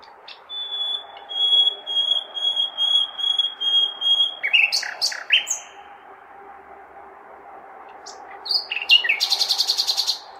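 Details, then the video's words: Urban nightingale on a May night: a long, steady, pure whistle repeated in pulses, breaking into varied chirped phrases, then a rapid buzzy rattle near the end, over a persistent city hum. "Śpiew słowika (nightingale)"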